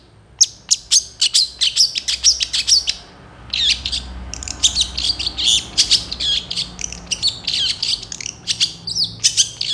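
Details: Long-tailed shrike in continuous mimicry-laden song, a rapid, scratchy stream of high chips and short buzzy notes, broken by one brief pause, with no other clear sounds.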